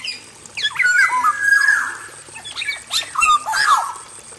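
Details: Black-naped oriole male singing in an aviary cage: rich fluty whistles that slide downward, mixed with harsher rasping notes, in two loud bouts separated by a brief pause.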